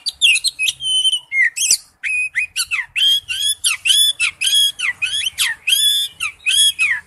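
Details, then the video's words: Oriental magpie-robin delivering a loud, continuous wild-type song of rich warbled phrases, repeated rising and falling whistles with harsh edges, nearly unbroken. "Chim chích chòe than hót giọng rừng"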